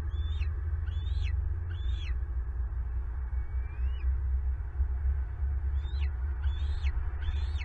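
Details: Bald eagles at a Southwest Florida nest camera while an intruder takes a turtle breakfast from the eaglets; three sharp falling whistles, one long thin rising note, then three more falling whistles over strong low rumble.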